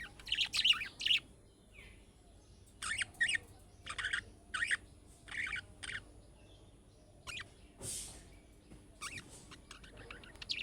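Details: Budgerigar making calling notes like those of young birds, which prompt other budgerigars to answer: separate short harsh chirp bursts repeated about every second, with quiet gaps between them.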